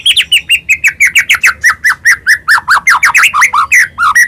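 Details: White-rumped shama, a captive 'gacor' songbird used as a lure to provoke other shamas into singing, delivering a rapid, loud run of varied whistled and chattering notes, about five per second, with frequent sharp upward sweeps and dense overtones.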